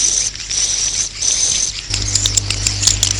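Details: Swiftlets calling to roost, a sound meant to lure them: a high, steady buzzing trill with short gaps, then sharp clicking chirps over a low hum.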